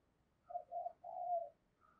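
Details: Decoy spotted dove luring wild doves, heard at a distance: one phrase of two short coos and a longer drawn-out note, over soft hiss.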